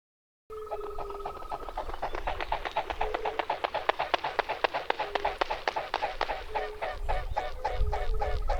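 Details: Mute swan recorded in the wild, giving short, flat, nasal notes over a rapid rhythmic pulsing of about four beats a second, likely wing beats, the pace quickening slightly as it goes.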